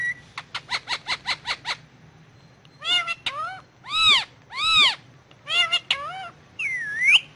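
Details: Ringneck parrot on pillows speaking Urdu/Hindi: seven evenly spaced sharp chips, then loud rich arched syllables in speech-like groups, ending with a bright rising whistled note.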